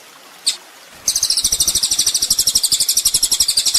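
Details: Ninja sunbird song from a training master for songbirds: after a brief high note, a sustained, very high, rapid trill of pulsed notes about four per second, dry and sizzling, with low ticking noise beneath.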